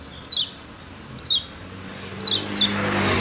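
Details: Kecial kuning (Lemon-bellied white-eye) from Lombok, master recording for training birds: four well-spaced, quick descending high chirps, with a rising rushing noise like a passing vehicle at the end.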